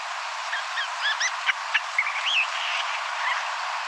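Island Scrub-Jay giving soft, rambling muttering: a quick jumble of short, varied chirps and slurred notes, several per second, over a steady background hiss.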